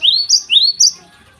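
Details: Java sparrow singing in the morning, used as a lure for untrained birds: two paired phrases, each a rising slurred note followed by a higher clipped note, then silence.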